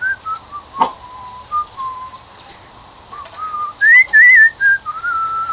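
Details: A pet cockatiel whistles "Song of the Garden" indoors: soft, low, wavering whistled notes, a single sharp click, then louder rising and bending whistles near the end.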